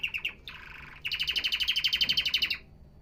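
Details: Canary song, said to stir males into singing: short trilled notes, a harsh buzzy phrase, then a long loud rolling trill of evenly spaced pulses lasting over a second.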